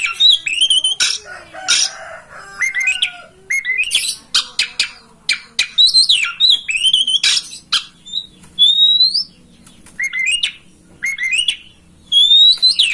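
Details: Master song of the oriental magpie-robin, played to make a kacer open its tail and sing: rich, varied stream of clear whistles, upslurred notes, buzzy chatters and sharp clicks, phrases broken by brief gaps.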